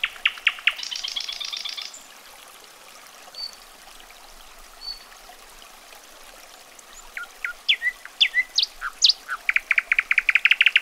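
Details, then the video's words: Nightingale phrases: a rapid loud pulsed burst with a rattling trill, a long pause with faint distant whistles, then accelerating sharp notes building into a fast rhythmic series of loud clicks. "SINGING NIGHTINGALE VIDEO WITH A BEAUTIFUL VIEW"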